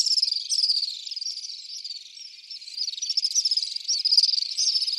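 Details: Common swift screams form a steady stream of high, grating trills that swell and fade, louder at the start and end.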